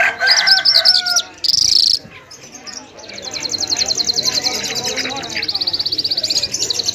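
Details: Lunda jal, a lark, in full song: a brief whistled phrase and a buzzy burst, then a long high trill of fast repeated pulses that keeps going to the end.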